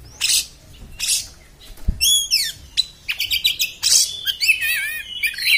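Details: Kacer, the Oriental magpie-robin, delivering a rough 'beset' song. Loud, noisy rasps repeat about once a second, followed by ringing descending whistles and a run of twisting, buzzy phrases, with a single low thump.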